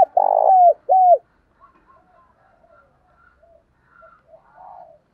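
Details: Spotted dove decoy call of males and females for training doves: two loud, deep, mellow coos, the first longer and sliding down, followed by a scatter of faint soft cooing notes in a quiet background.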